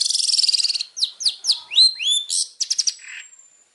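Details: Long-tailed shrike master song for training, champion bird: a fast buzzy rattle, then separate swooping whistles, rising slurs and a short trill, fading on a thin high whistle.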